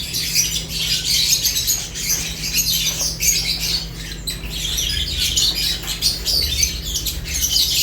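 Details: Several lovebirds eating, giving a dense, continuous chatter of harsh high chirps and squawks that swells and dips over eight seconds, with a steady low electrical hum underneath.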